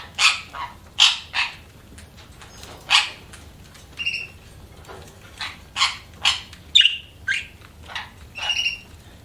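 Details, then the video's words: Budgies chirping: short, sharp high chirps and squeaky notes come in quick irregular bursts, some with brief whistled tones, over a soft background hiss. "BUDGIES CHIRPING SOUND"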